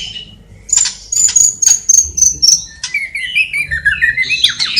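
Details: Singing white-rumped shama from Cililin, its song packed with mimicked sparrow, fighting lovebird and kapas tembak calls: a string of high thin whistles followed by a falling, warbled phrase.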